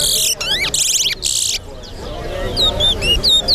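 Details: Chestnut-bellied seed finch, a towa towa, singing in a competition at Lusignan, Guyana: loud buzzy sweeping bursts, then a run of clear rising whistled notes, with voices of people in the background.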